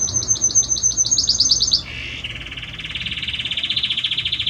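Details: Belgian canary male singing to his hen: a rapid high pulsing trill of about a dozen notes, then a lower rolling trill that rises and quickens to the end.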